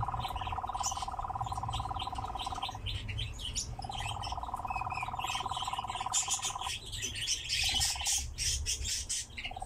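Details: A captive nightjar churs in a long, even, mechanical trill, broken by brief pauses and short bursts, while other small birds chirp and twitter brightly behind it.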